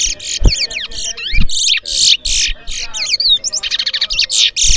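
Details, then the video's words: Twa-twa singing in a bird race at a bird ground in New Amsterdam, Berbice, Guyana: fast, varied whistled phrases with rapid trills and swooping notes, near-continuous, with low thumps and background noise. "TOWA TOWA BIRD RACE"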